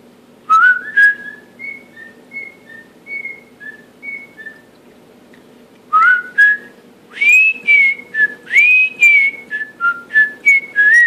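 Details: Pet male cockatiel, indoors, working through the Andy Griffith theme: a soft sequence of short level whistles, then a loud stretch of rising slurs and fast varied notes, all over a faint electrical hum.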